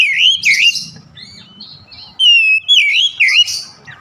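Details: Rich, looping whistles from an Oriental magpie-robin, bending down and up, with a brief quieter gap before bright clear notes resume. Used to prompt an off-form kacer to sing.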